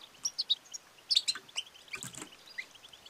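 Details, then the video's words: Female European goldfinch giving its twittering call, meant to stimulate males and cure silence and lethargy; short high chirps and bright twitters come in uneven bursts, with one louder cluster near the middle and faint background hiss. "بتبتة وستستة ونداء أنثى الحسون المميزة في علاج الصمت والخمول"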